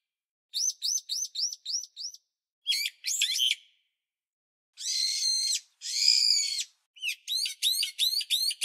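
A bulbul gives bursts of bright, chattering calls, rapid series of rising notes alternating with harsher, buzzy trills, all high-pitched with short pauses between.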